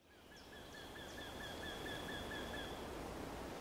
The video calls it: Krętogłów ( Jynx torquilla )